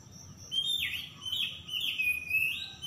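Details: Oriental magpie-robin lure song for birds that have gone quiet: a fairly soft run of swooping whistles, each dipping then rising again, over a steady background hiss.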